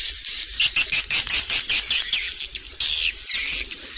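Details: Swiftlets recorded inside a productive swiftlet building, rapid metallic twittering chips in quick succession, about four per second, followed by a couple of longer harsh buzzes.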